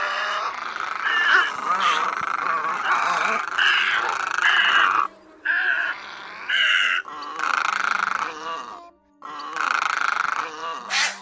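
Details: Recording of great egrets and other egrets, played for night net trapping in the August migration: a dense stretch of harsh squawks, then separate rasping bursts with short gaps, low hum beneath.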